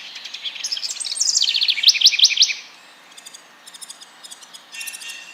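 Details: House Wren song in April, Fauquier County, Virginia, after night migration arrival: a rapid, bubbly tumble of high chatter dropping in pitch, ending in sharp trilled notes, then fainter distant chips.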